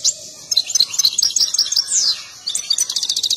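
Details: An agitated European goldfinch sings during a dance display tied to mating. Bright twittering phrases with sliding notes run into a short pause, then a quick series of repeated high tinkling notes.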